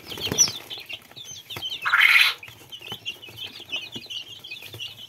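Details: Little chicken chicks cheeping: many thin, high peeps scattered throughout, with a brief loud rustling or flapping burst near the middle.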